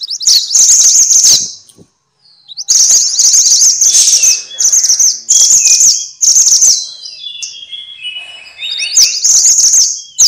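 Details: Minivet, locally called mantenan or sepah, in a compilation meant as training audio for songbirds: dense high rapid trilled bursts, shrill and buzzy, in blocks of one to two seconds with short gaps and a few thin rising whistles.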